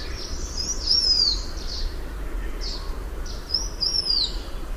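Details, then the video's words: Two high, drawn-out whistles from a blue-winged minla, each sliding down in pitch, with soft blurred chirps and a low background rumble throughout. "Tiếng chim khướu lùn cánh xanh, นกศิวะปีกสีฟ้า"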